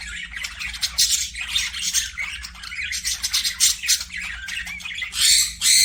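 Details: Pet budgerigars chattering continuously: dense, scratchy warbles and squawks in quick bursts, with louder, harsher calls near the end.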